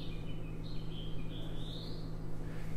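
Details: A House Finch breeding in Hulls Gulch, Boise, Idaho sings a quick, rambling warble of sliding, whistled notes in a high register, ending in a raspy note, over a steady low electrical hum.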